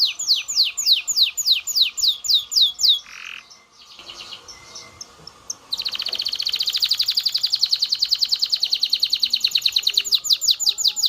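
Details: Aroused canary singing to prompt mating. Repeated descending whistled sweeps give way to a soft rough passage, then a fast continuous trill of sharp repeated notes about three per second.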